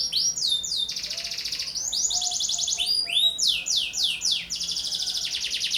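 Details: Energetic song of a young canary kept as a lure and model for other birds: clipped descending whistles broken by rolling high trills, repeated several times in a fast, varied flow.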